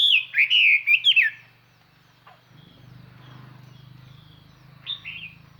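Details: Decoy Chinese hwamei singing to call in and provoke wild birds, its song clear and far-carrying: a burst of loud, rich whistled phrases in the first second and a half, then near quiet with a low hum and one short late note.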